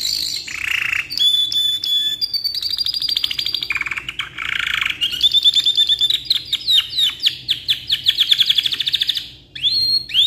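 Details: Lively canary giving a long song meant as a tutor model for other birds: alternating rapid pulsed trills, low buzzy rolls and high clear whistles, with rising and falling notes running in quick series.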